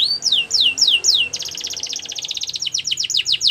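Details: Four slow, high descending whistles from a canary give way to a fast, pulsing trill that loosens into looping swoops near the end. Low background hum.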